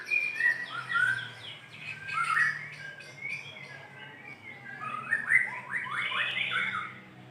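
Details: White-rumped shama, a lively singer, calling a female with rich whistled phrases, several downward-sliding notes early, a pause, then a fast rising and falling trill-like series; faint low hum.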